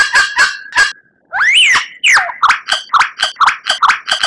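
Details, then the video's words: White-rumped shama tutor song: three husky notes, a loud looping whistled slur, then a quick, even series of about ten chattering notes. "Masteran Murai Batu Gacor"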